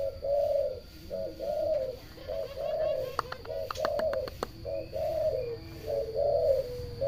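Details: Local zebra dove giving a continuous run of low, soft coos in quick succession, with a burst of sharp clicking or tapping sounds in the middle.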